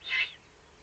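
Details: Eurasian eagle-owl below its nest site in the Eifel, Germany, on 31 May 2020: a single harsh, breathy hiss lasting about a quarter second, centred high, followed by quiet background.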